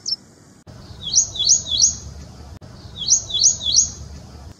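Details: Ashy prinia song in short bursts of three or four high, rising chirps, repeated after a gap, against a quiet background.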